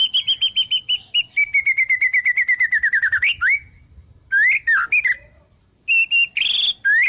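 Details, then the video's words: White-rumped shama singing imitated wild-bird phrases: a long string of evenly spaced whistled notes that slowly drop in pitch, then, after a pause, separate bursts of sharp chirps and whistles. "Suara Murai Batu Full Isian Burung Alam"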